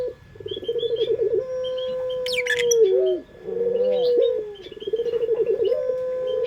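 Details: Indonesian puter dove, a pet bird, singing a melodious lure call. It gives three low coo phrases, each beginning with rapid tremolo pulses and then holding a steady tone. Brief high chirps and twitters of other birds sound in between.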